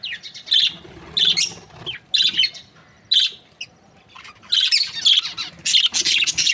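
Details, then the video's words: Happy Australian budgerigar breeding pair chirping: loud squawky high chirps in repeated bursts about every second, a busier run of chatter toward the end. "Happy budgie chirping sounds | Australian budgies breeding pair"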